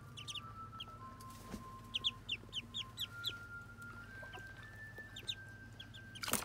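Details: Muscovy ducklings during their first bath give high, thin peeps in quick bursts, several a second, over a steady faint whine and a splash at the end; Muscovy duck.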